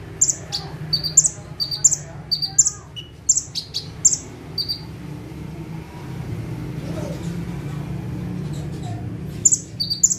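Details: Perched bar-winged prinia (konin) in vigorous 'tembakan' song: rapid high paired chips fill the opening seconds, then a long stretch of only rumbling background noise, then the chips resume near the end.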